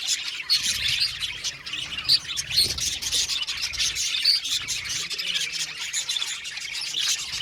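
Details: Budgerigars in an aviary colony: dense, continuous high chatter of overlapping chirps and warbles from many birds, with short squeaky notes scattered throughout.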